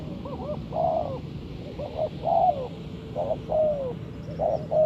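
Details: Spotted dove calls used as a lure for trapping birds: low hoarse coos in short phrases, two quick notes then a longer drawn-out coo, repeated about once a second.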